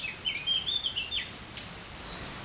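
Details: Common kingfisher giving sharp, high-pitched penetrating calls in two quick bursts of thin whistled notes about a second apart, recorded on a Sunday with quiet background.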